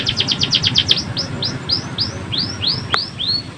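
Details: Tutor song of a canary, meant for training other canaries: a quick series of trilled notes, then slower, evenly spaced up-curving whistled sweeps, with a faint low rumble underneath.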